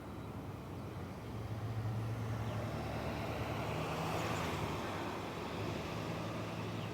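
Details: Steady road traffic with a low engine rumble and broad hiss swelling mid-way; no animal voices stand out.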